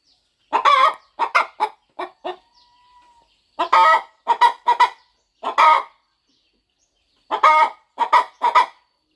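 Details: On a quiet farm, a mother hen fluffs over her eggs before hatching and gives groups of two to four throaty clucks. A faint thin tone is heard between the first bursts.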